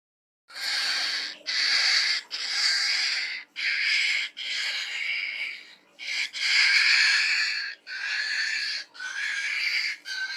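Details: Caged Falk bird singing an odd, pig-like song: rough, breathy, hissing bursts about a second long, separated by short gaps and repeated steadily through the recording, with no other sounds.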